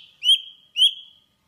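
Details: Java sparrow calling to its flock: two clear, whistled chirps, each rising slightly and then held level, spaced about half a second apart.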